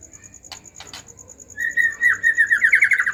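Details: Agitated white-rumped shama singing, used as a lure to stir other shamas into song; a few faint clicks, then a rapid, even trill of short rising notes that slowly climbs in pitch over about a second and a half.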